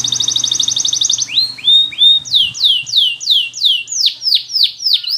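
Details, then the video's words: Canary training song opening with a fast, even trill of short high notes, then shifting into loud repeated falling whistles, each dropping sharply in pitch, with a faint background hum at first. "Canary's Most Powerful For Training"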